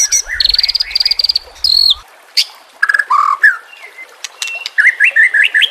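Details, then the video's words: Murai batu (white-rumped shama) on a training track for birds that will not sing: rapid stuttering notes, scattered sharp whistles and short buzzy bursts, ending in a run of rising looped whistles. "Terapi Murai Malas Bunyi Dengan Pancingan Mewah Isian Terbaik"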